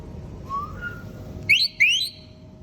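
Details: Pet green ringneck parrot (rose-ringed parakeet): a soft rising whistle, then two sharp, shrill, upward-sweeping calls in quick succession, over a low indoor hum.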